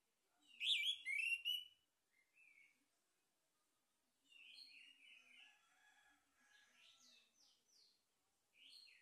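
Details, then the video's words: Male orange-headed thrush song used as a lure to stimulate singing: a loud burst of bright, rapidly modulated whistled notes, then a pause and a softer run of varied twittering phrases, ending with another short whistle. "PANCINGAN ANIS MERAH JANTAN"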